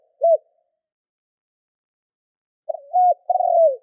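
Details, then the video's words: Spotted dove used as a decoy for wild doves. A single short coo is followed, after silence, by a longer run of low mellow coos ending in a drawn-out, slightly falling note. "Tiếng cu gáy mồi thúc gù kích bổi Hiệu quả"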